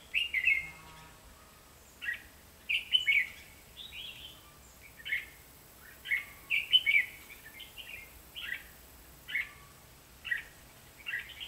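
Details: Red-whiskered bulbul decoy singing during bird trapping in Vietnam on 23 October 2016: short bright warbled phrases of liquid whistled notes, repeated roughly every one to two seconds, over faint background noise.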